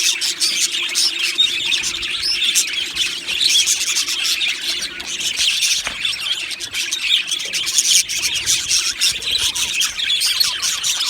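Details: Colony of Australian budgies in an aviary, singing and chirping: continuous high chatter of many overlapping voices, rapid ticking chirps and warbles, with a short sharp click near the middle.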